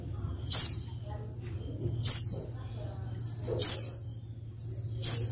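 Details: Calling female white-eye, used as a lure so silent males respond and start singing. Short high downslurred chirps come roughly every one and a half seconds against a faint low droning hum.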